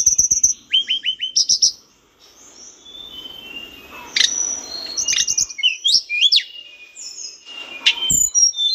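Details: Lively mountain bush lark song for training cage birds, with rapid repeated chirps and whistles broken by a soft hissy lull, then more varied trills and looping notes.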